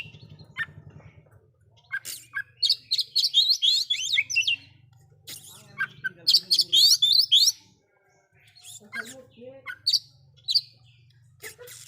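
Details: Oriental magpie-robin in loud song meant to stir other magpie-robins: fast clusters of high whistled and chattering notes in several bursts, over a steady low hum with faint human voices.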